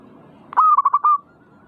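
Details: A single zebra dove song phrase used to provoke singing in other perkutut: a clipped opening note, then a quick string of four or five rolling, bubbling coos.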